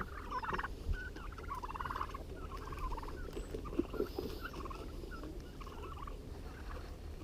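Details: Peeps from four growing farm turkeys, three blue slate and one white, a few months old and newly let out of their house into an outdoor pen. The short, slightly wavering peeps are spaced and fade later, with rustling and knocks.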